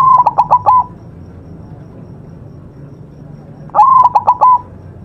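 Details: Zebra dove of the white variety singing on a master recording used to train birds. There are two stuttering coo phrases roughly three seconds apart, each with rapid short notes and a lingering final coo.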